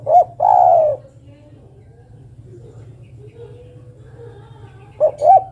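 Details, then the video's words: Female zebra dove calling to the male: a two-note lead-in, then a long falling coo, a quiet pause, and the phrase starting again at the end. A low steady hum runs underneath. "Suara burung derkuku betina memanggil jantan"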